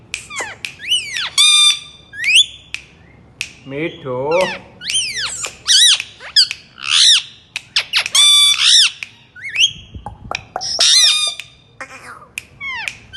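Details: Indian ringneck parrot, a talking bird, chatters busily in a dense stream of sharp harmonic squawks and bent notes, with a lower, voice-like burst near the middle and a few pauses.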